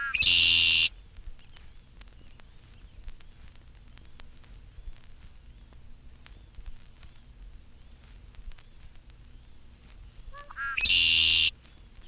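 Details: In spring, a red-winged blackbird perched among sedges in a small marsh, fluffing its feathers and spreading its scarlet-patched wings and tail, gives two harsh, buzzy conk-la-ree songs about ten seconds apart, each a few quick notes before a rasping trill; faint chirps from other birds sound between them.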